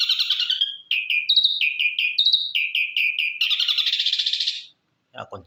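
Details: Ashy drongo, white-eyed grey form, giving a run of short, loud, downslurred whistled notes that step between two pitches, then breaking into a rapid buzzy trill before a brief pause and a faint low sound.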